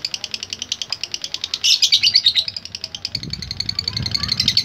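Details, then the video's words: Lovebird giving a rapid "ngetik" typing call in response to a lure: quick high chips repeated about three times a second, swelling louder midway, over low rumbling background noise. "Sekali Pancing Pasti Love Bird Nyaut Dan Bunyi | Love Bird Ngetik Dan Latah"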